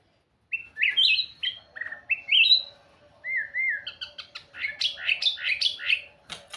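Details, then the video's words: White-rumped shama with clear whistled phrases rising and falling, a mellow two-part whistle, then a rapid, jumbled burst of high warbling notes. "เสียงนกบินหลาดง ร้องเสียงเพราะ"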